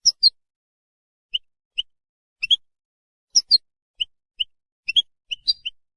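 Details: European goldfinch, singing to hold territory and attract a mate, gives scattered high chirps, single and paired, at irregular intervals over six seconds against silence.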